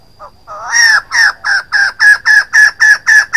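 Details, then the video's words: A female white-crested laughingthrush gives a loud, harsh series of nine or ten rapid chattering notes, about four per second, with no other sounds heard. "White-crested laughingthrush female sound"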